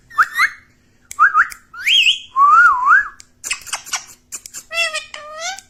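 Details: Talking parrot giving a run of whistled notes that climb and warble, a wavering trilled whistle, then two low voice-like glides mimicking speech.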